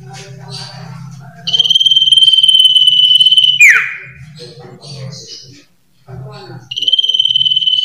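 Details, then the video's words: Common iora (sirtu, cipoh) in lively varied song: a sustained pure high whistle lasting about two seconds that drops in a quick downward swoop, surrounded by soft twittering fragments, over a constant low background hum. "SUARA BURUNG SIRTU/CIPOH/CIPOW GACOR VARIASI"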